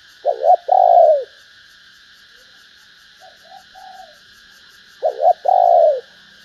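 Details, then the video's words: Female spotted dove calling to stimulate males: low, mellow coos, each a quick double note followed by a longer falling coo, heard near the start and again about five seconds later, with softer coos between, over a steady high-pitched buzzing hum. "Tiếng cu mái kích trống hiệu quả"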